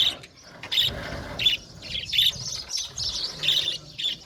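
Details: Budgerigar flock in an aviary making separate bright chirps and squeaks in short bursts about every half second, with quieter chatter between.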